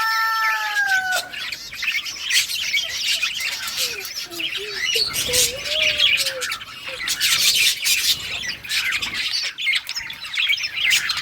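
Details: Budgerigar colony playing together; continuous warbling chatter and scratchy chirps from many birds, with a few clear whistled slurred notes rising and falling early on, lively overlapping aviary noise throughout.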